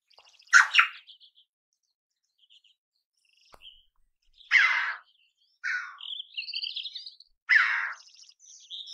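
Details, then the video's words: Red-billed chough calling: loud, harsh, downward-sweeping squawks around 0.5, 4.5 and 7.5 seconds, with softer nasal, warbling notes between them and quiet gaps. "The voice of a red-billed raven (صدای زاغ نوک قرمز)"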